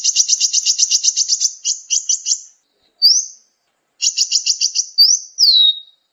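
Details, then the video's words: Sunbird song played for training captive songbirds: fast rattling trills of high chirps, broken by brief gaps, then single rising and falling whistled slurs; clean recording with no background noise. "masteran burung gacoan, Kolibri"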